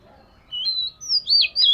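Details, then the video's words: Scaly-type Oriental magpie-robin in daily voice-training song: a few clear, sustained high whistles, one rising and then falling, with a sharp final note. A faint low hum runs underneath. "Chòe Than Vẩy Cá Hót Giọng Siêu Hay-Luyện Giọng Chòe Than Hót Hay Mỗi Ngày-Suara Burung Kacer Gacor"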